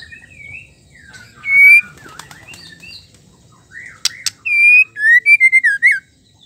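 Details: Female white-rumped shama singing to rouse males into song: loud, clear whistled notes, some sliding and some flat, then a quick run of short bright whistles, with a few sharp clicks.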